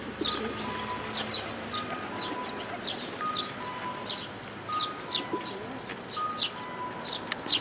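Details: Eurasian tree sparrows with chicks, recorded 13 May 2018: sharp, high chirps repeated roughly every half second to second, with faint steady tonal whistles and a low cooing dove in the background.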